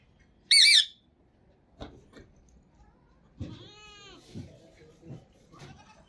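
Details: Green talking parrot from Pakistan, indoors, opening with one loud, harsh, quavering squawk, followed by softer clicks, a brief tonal drawn-out note, and low murmuring human voices.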